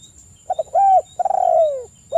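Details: Lure recording of a spotted dove to stimulate calling: a few quick soft notes lead into a smooth coo, then a long vibrating croo that falls in pitch, with another coo starting at the end.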